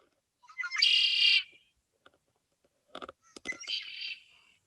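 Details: A male red-winged blackbird, an early spring migrant in Michigan, gives two songs: a few short lead-in notes, then a loud, harsh, buzzy trill, with faint clicks between them.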